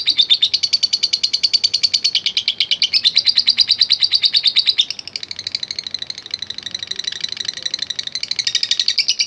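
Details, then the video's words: Fighter lovebird giving a long ngekek chatter, used as a lure to provoke other lovebirds: a steady, rapid stream of harsh, shrill notes that shifts in tone partway through and runs unbroken for over nine seconds. "Love Bird NGETIK Latah Gacor Ngekek Panjang | AMPUH Pancingan Love Bird Figter"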